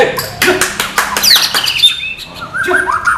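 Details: White-rumped shama, a non-puffing style, singing a varied mix of sharp clicks, rising and falling whistles and a high sweeping note, with short pauses between bursts.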